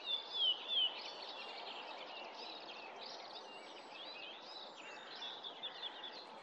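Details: Whinchat recorded in 2024: three short, thin whistles sliding downward open the phrase, followed by high scratchy, chattering notes running on, all over a steady hiss of background noise.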